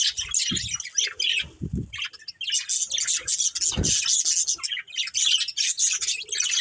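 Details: Pet budgie breeding pair chirping and warbling almost without pause, high twittering bursts with squawky notes, interrupted by a few low thuds.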